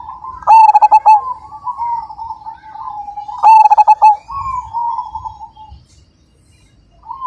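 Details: Zebra dove of the Majapahit line: two loud bursts of rapid pulsed cooing about three seconds apart, joined by mellow rolling coos, then near silence before a final soft coo.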